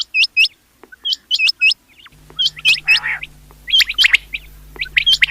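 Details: Rain quail calling with sharp, high chirped notes, often in quick pairs, given in loose bursts. A steady low hum joins partway through, and a brief rougher burst sounds near the middle.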